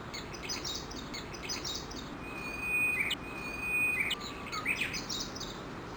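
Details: Japanese bush warblers, dozens gathered and feeding at about 7:30 am under a chinaberry tree near Gakushima Bridge, Kawashima, Yoshinogawa City, Tokushima, Japan; long steady whistled notes held about a second, each ending in quick clipped notes, over high chirping from other birds and steady hiss.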